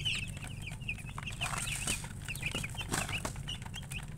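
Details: Murgi hens and coloured chickens chirp continuously, with thin, high peeps repeated in quick succession and a few louder broadband bursts, all over an ongoing deep hum.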